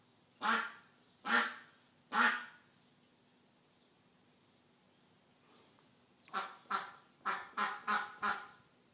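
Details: Lost duck giving three loud, harsh quacks in a row, followed by a quiet pause and then a faster burst of six shorter nasal calls.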